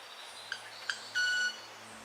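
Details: A male Red-capped Manakin makes two sharp snaps with its wings, not its voice, about a third of a second apart, then a clear, steady high squeak lasting a third of a second, over faint background hiss.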